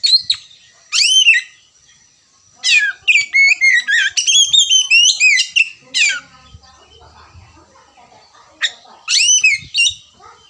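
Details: Oriental magpie-robin song, a lure recording for starting 'ngerewek' singing: loud bursts of sweeping, slurred whistles and sharp downward notes in rapid clusters, separated by short silent gaps, with faint low rumbling in the background.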